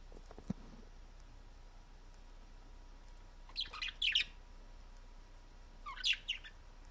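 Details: Parakeets flirting trade two bursts of bright, high chirps and warbles about two seconds apart, with a soft click near the start and quiet room noise.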